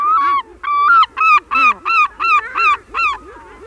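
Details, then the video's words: Herring gull long call in a colony, recorded close: eight loud, ringing, harmonic yelping notes, each slightly falling, about two per second with short gaps, over a soft murmur of lower gull calls in the background. "Herring Gull. CU Long Calls And Mew Calls In A Colony"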